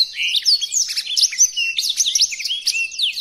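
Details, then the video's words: Short stretch of blackthroat song intended for tutoring birds: loud, rapid high whistles and rising and falling slurred notes run together in a bright, unbroken warble. "Burung Blackthroat Original untuk Pemasteran"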